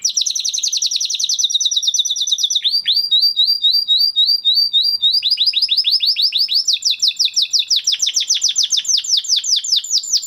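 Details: Crested Spanish Timbrado canary from 2020 breeding delivering a long training song. Rapid metallic rolling trills shift into slow sliding notes, then speed up again into dense, fast, bright trills throughout.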